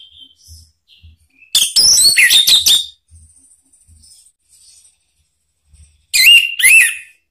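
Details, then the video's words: Orange-headed thrush lure song, played to make other Anis Merah respond and to cure birds that stop singing: a rapid, loud, varied whistled phrase of tumbling notes, a quiet gap with soft low taps, then two slurred whistles. "ANIS MERAH manapun jadi NYAUT NGEPLONG dengan SUARA ini ¦ PANCINGAN AM ¦ TERAPI MACET"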